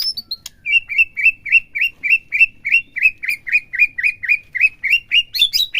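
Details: Captive white-rumped shama song used to rouse other birds into bongkar, full singing, played morning and midday: after a few high opening notes, a fast, even run of clear, bright, down-slurred whistles, about four per second, ending in thinner, higher notes.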